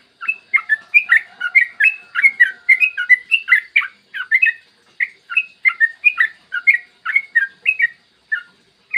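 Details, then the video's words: Yellow-vented bulbul singing a long clear morning roll meant to lure other bulbuls: a steady stream of liquid, bouncing chirped notes delivered rapidly and almost without pause, slightly spacing out near the end. "PANCINGAN TRUCUKAN AGAR BUNYI burung TRUCUKAN GACOR ROPEL PANJANG"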